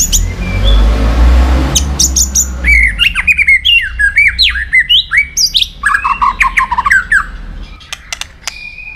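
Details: White-rumped shama in a many-voiced song used to excite and train other shamas: after a noisy start, a rich run of loud slurred whistles, chattering notes and sharp clicks, densely packed for about six seconds, ending with a held high whistle.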